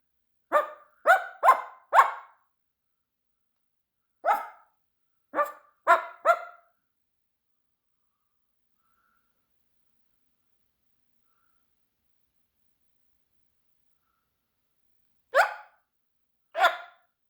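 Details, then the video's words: Moluccan cockatoo imitating a dog's bark: short, harsh barks in a quick run of four, then single and paired barks near four to six seconds, silence, and two more barks at the end. "Bilingual Cockatoo Barks Like a Dog"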